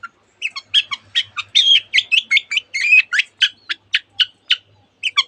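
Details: Long-tailed shrike, a cendet in full song, mimicking canary and many other birds: rapid run of sharp chattering notes and short whistled phrases, densely packed, with a faint low hum underneath.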